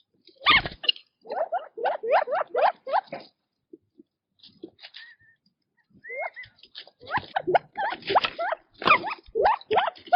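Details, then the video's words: Foraging quails in the wild: bursts of short rising chirps over scratchy rustling, a quiet gap with a couple of clear whistled notes, then another busy run of chirps and scuffling as they feed. "Quail Birdsong in Nature - Relaxing Chirping Sounds"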